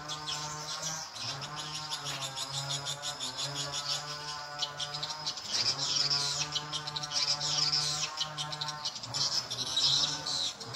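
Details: Edible-nest swiftlet calling sound used as a lure, volume at nine o'clock so the birds crowd in: sharp high chirps in uneven clusters, with a droning low tone and layered mid-pitched buzzing underneath.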